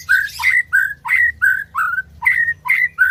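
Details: A white-rumped shama repeats one bright whistled phrase about eight times in three seconds, each note swooping up then levelling off. The recording is meant to make birds that have gone quiet sing.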